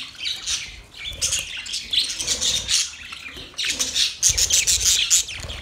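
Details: Mating call of budgerigars: fast, rhythmic pulses of high warbling, about three or four per second, ending in a run of clear, sharp whistled chirps.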